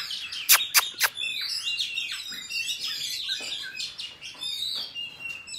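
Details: Wild forest-style song of an Oriental magpie-robin, recorded for trapping use and for coaching young birds; three sharp clicks come first, then a lively, varied warble of whistled slurs and rapid twittering notes that ends on a clear whistle.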